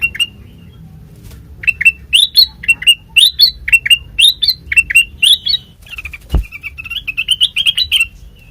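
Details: Sooty-headed bulbul lure song, meant to make untrained birds answer within a minute: quick bursts of short, bright chirped notes, some rising and some dropping, in rapid runs with a brief pause, then a warbled, fluttering stretch near the end.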